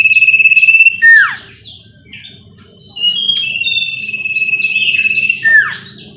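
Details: Sooty-headed bulbul song played as a lure to coax a home-kept bird into singing. Two loud swooping, falling notes stand out above a continuous pulsed trill, with dense high chirping from several birds.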